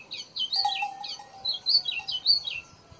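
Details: White-throated seedeater singing well at a rural smallholding in Brazil: a quick run of high, clear notes, each sliding downward, with phrases repeated about every half second and a faint lower whistle underneath.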